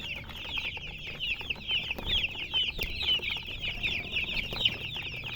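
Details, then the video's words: Colored chickens in a busy chorus of shrill, quick chirps, each peep short and slightly falling, packed closely together with a soft hum underneath. "silly chicken chirping sounds"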